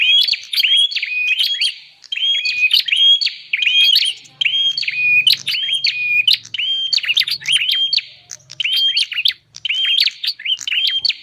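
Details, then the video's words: Bar-winged prinia calls played to lure wild birds: about eight repeated phrases of sharp chirps and short steady whistles, evenly spaced, with a soft low hum partway through. "Suara pikat burung prenjak paling ampuh"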